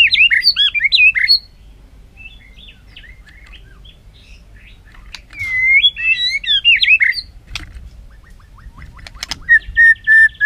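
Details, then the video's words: White-rumped shama practising its song: quick tumbling whistled notes, a pause with faint fragments, another varied warbling phrase with clicks, and a final series of level whistles. "Tiếng choè lửa hót đấu luyện giọng căng lửa"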